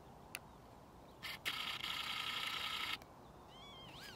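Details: A Northern lapwing at Ljubljana Marsh (Ljubljansko Barje, Črna pot), Slovenia, on 13 April 2024, gives thin, slurred wheezy notes that swoop up and down near the end, after a loud burst of rushing, rustling noise.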